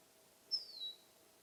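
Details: One brief, bright descending whistle from a finch in summertime, starting high and sliding lower before tailing off.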